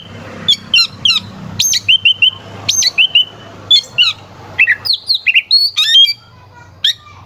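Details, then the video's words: Oriental magpie-robin, a caged singing bird used as a lure to provoke rival birds into singing harder at contests; loud, sharp song of repeated whistled phrases with rising and falling notes, frequent short harsh bursts, and clicks. "Suara kacer gacor NGEPLAY KONSLET pancingan kacer ampuh bikin lawan ikut EMOSI"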